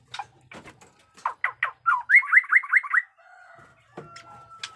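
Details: Caged white-rumped shama with a fighting style, newly moulted, singing 'batuk koral' and 'muntah beling' phrases: a few rough notes, then a rapid run of bright rising whistles about one per fifth second, ending in a thin steady tone.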